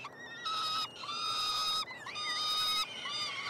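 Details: Three peregrine falcon chicks, hatched late May, being fed by their parents in a nestbox at the University of Montreal, Quebec, Canada, on 21 June 2022. They give loud, drawn-out wailing screams, each held about half a second, with short gaps between them.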